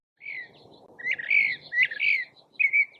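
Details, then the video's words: Northern Mockingbird, a skilled mimic of other animals and birds, gives a run of varied squeaky chirps and slurred whistles in quick bursts over a soft background hiss. "यह परिंदा दूसरे जानवरों और परिंदों की नकल उतारने में माहिर है।"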